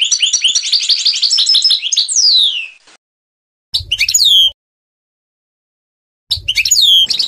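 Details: Trnan song of a European goldfinch: dense high twittering, a downward-sweeping slur, then two separate bursts of arched, tinkling notes with a faint low rumble underneath.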